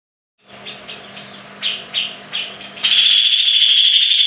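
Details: Greater green leafbird song used as a lure to prompt other leafbirds to sing: a few soft chirps, then three louder downslurred notes, ending in a sustained bright, buzzy high trill over a low steady hum.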